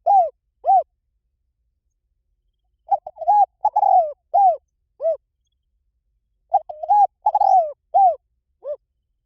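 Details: Repeated spotted dove cooing for luring wild doves: two arched coos, then two complete phrases of staccato notes and a long descending trill, each closing with two falling coos. Silent gaps of about two seconds separate them.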